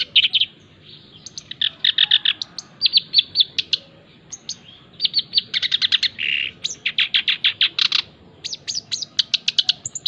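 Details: Black-browed reed warbler, a male, delivering a long, varied song of rapid scratchy chattered phrases broken by short pauses, with a brief nasal buzzy note midway and trilled runs toward the end.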